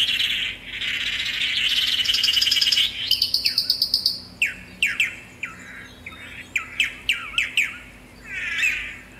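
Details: Singing tangará: a rich, rapid warble for about three seconds, then a run of sharp, downslurred chip notes about four per second. The notes slow and space out, and a final short warbled phrase ends it.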